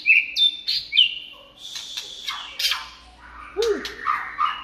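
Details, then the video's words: A white-rumped shama sings in the late afternoon, giving a rich, varied run of fluty whistles, buzzy sweeps and sharp clicks in quick succession. One lower arched note drops partway through, and a faint steady hum sits underneath. "Chòe lửa hót chiều muộn"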